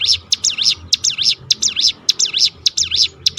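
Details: Crested honeyeater giving its rolling call meant to spur other birds to sing, a quick run of sharp, high, wavering notes repeated in close succession over a soft low background rumble.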